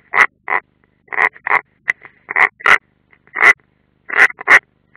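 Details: Unringed European roller calling at the nest, Ādaži training ground, Latvia, 30 June 2016: a steady string of loud, hoarse, crackling rasps, about one each second, often paired.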